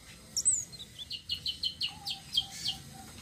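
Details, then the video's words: Citrine blue-shawled flowerpecker in rolling song, used to draw in other birds: a brief series of high, evenly spaced chip notes after a thin opening whistle, with a faint low tone behind. "BURUNG TLEDEKAN SITRUN SELENDANG BIRU NGEROLL||BISA BUAT PANCINGAN"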